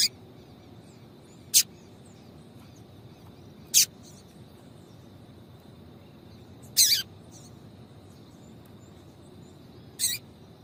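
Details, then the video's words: Sparse calling by a female double-collared seedeater to stimulate a male: five brief, very high chirps separated by long quiet gaps of two to three seconds, with a faint steady background tone. "fêmea de Coleiro Chamando Muito para Esquentar Coleiro"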